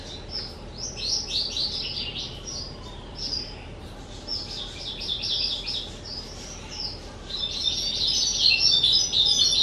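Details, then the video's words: Captive skylark aged two years, recorded on 18 April 2023, delivering bursts of high, rapid twittering and trilled phrases separated by short pauses, then a sustained, louder run of buzzy warbling at the end. "Chim Sơn Ca 2 Tuổi"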